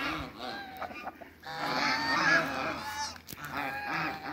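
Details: A group of four domestic Pekin ducks on a farm giving harsh, nasal quacks. Scattered calls open the recording, then a long, loud, overlapping stretch of honking calls follows in the middle, with more quacks toward the end.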